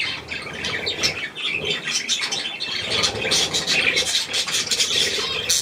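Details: Budgerigars with their young, recorded 3 May 2024 around millet, give dense high chirping and chattering throughout, with brief squawks and wing flutters, while a person coaxes softly in German.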